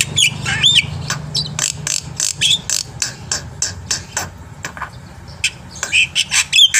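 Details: Black-winged myna masteran recording, full of varied fill-ins, used to get birds singing. Scattered sharp clicks and harsh squawks alternate with brief clear whistles, and the pace picks up toward the end.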